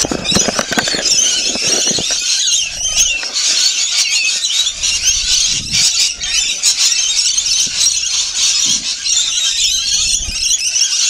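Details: Rainbow lorikeets feeding, a dense chorus of high, shrill, screeching chatter from many birds running continuously, with a few low thumps near the start.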